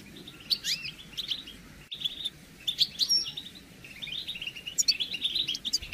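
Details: Goldfinch calls meant to prompt males to sing during moult; scattered, liquid high twitters and rising chirps come in loose groups against a constant background hiss.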